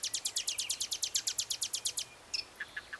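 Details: A common nightingale (Luscinia megarhynchos) sings a fast, hammering run of about fifteen sharp, high notes in two seconds, then a few scattered chirps against a quiet background.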